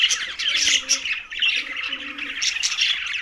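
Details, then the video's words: A short burst of green budgies chattering over a meal: bright, scratchy warbling and squeaky chirps, with two low drawn-out coos audible beneath. "Green Budgies Talking"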